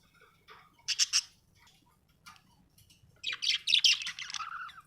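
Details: Happy budgie chirping: a pair of loud squawky chirps, a quiet pause, then a long burst of harsh chattering squawks ending in a lower warble.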